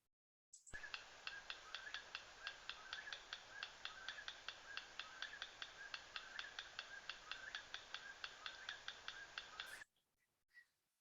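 Yellow Rail clicking song: dry, pebble-like ticks repeated in quick rhythmic groups throughout, with another bird calling steadily in the background.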